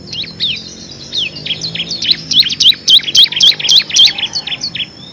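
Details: Rapid 'ngebren' song of a bar-winged prinia, called ciblek kristal, used as a master recording for competition birds; a steady run of high, sharp, hooked chirp notes, roughly three or four per second, growing louder toward the middle.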